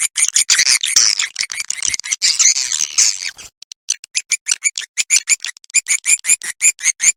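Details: Swiftlet roosting sound, suara inap, used to lure edible-nest swiftlets to roost. A dense, harsh chattering starts things off, then a steady series of quick, bright chirps follows, about three per second.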